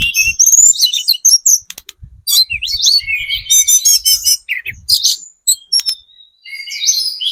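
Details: Used to lure other birds into answering, a speckled ('trotol') Sunda robin pours out a very vocal, varied song of high twisting whistles, buzzy rattles and chirps, over faint low thumping.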